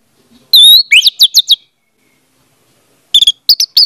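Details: Orange-headed thrush singing, used as a lure for a silent bird: a long pure whistle, then a run of rapid rising notes, a pause, and a short burst of sharp high chips.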